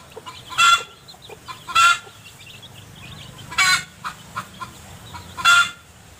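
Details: Mother hens foraging with their chicks in piles of vegetation litter, hunting earthworms; four loud, harsh clucks spaced roughly one to two seconds apart, with soft high chick peeps scattered between them.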